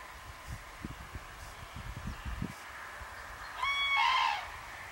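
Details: Pair of common cranes at Banneick, Wendland (Lüchow-Dannenberg), Germany, calling on 17 September 2013 to flocks flying over toward winter quarters; low rumbling thumps first, then one short, ringing, rich-toned trumpeting phrase.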